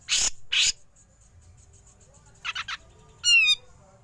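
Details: Grey-cheeked bulbul giving besetan calls followed by ngepik, used as a training recording for songbirds: two loud, harsh rasping bursts, a quick trio of buzzy notes, then one high, wavering, ringing note after a pause.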